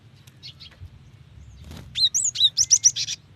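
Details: Female Cinereous tit calling to a male, used to lure wild birds into singing: after a quiet start, a quick burst of high, sharp chirps and short whistled notes, about seven in a row near the end.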